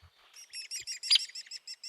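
Hairy Woodpecker whinny: a quick, even rattle of sharp, high notes, about eight a second, holding steady in pitch without dropping at the end.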